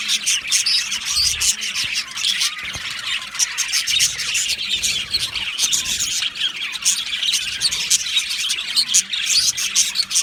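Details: Australian budgerigars in a breeding colony aviary, mating sounds: long run of loud, dense flock chatter, squawks and shrill chirps overlapping, with brief dips and a few clicks.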